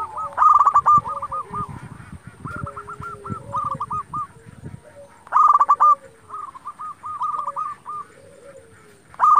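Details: Local zebra dove singing actively, used to provoke rival doves into answering and to stir breeding mood. Bursts of rapid, staccato rolling coos followed by stuttering note runs, repeated every five seconds. Fainter, lower coos sound in between, with a steady high-pitched whine throughout.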